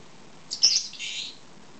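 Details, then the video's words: Female pet lovebird, two years old, wanting her head scratched: a single loud, high, raspy chirp that trails off into a softer buzzy tail. "Lovebird wants a headscratch"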